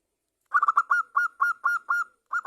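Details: Lure song of a local zebra dove (perkutut), the characteristic bird of Java, sung vigorously to get other zebra doves singing. A quick stutter of notes settles into evenly paced, ringing hoots, each slightly drawn out.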